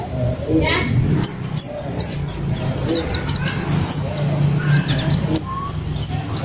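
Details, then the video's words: ['White-eye newly brought home from a bird trader, singing freely within three days; a string of sharp, high, down-slurred chirps roughly every third of a second, with a low steady hum and faint voices beneath.'] "PLECI baru 3 hari di rumah langsung GACOR"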